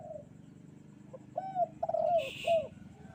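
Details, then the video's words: Bright-morning kuk 2 cooing by a spotted dove. A faint coo opens the clip, then after a pause come four clear, down-curving coos in quick succession. A brief hiss of noise overlaps the phrase. "burung derkuku kuk 2 gacor"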